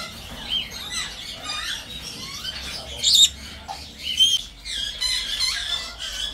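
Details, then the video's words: A Senegal parrot gives harsh, scratchy squawks and short whistled notes, irregular and high-pitched, with louder bursts around the middle of the clip. "PAPAGAIO DO SENEGAL / SENEGAL PARROT"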